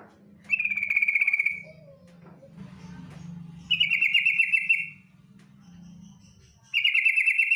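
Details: Female yellow-vented bulbul giving a rapid chattering call, used to lure other bulbuls into singing: about one-second buzzy, rattling bursts repeated every few seconds, with a low mechanical hum underneath.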